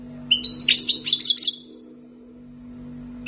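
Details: Wild-caught European goldfinch kept for two years in Algeria, singing a quick burst of twittering, tinkling high notes and short trills lasting about a second, then quiet, over a steady low electrical hum.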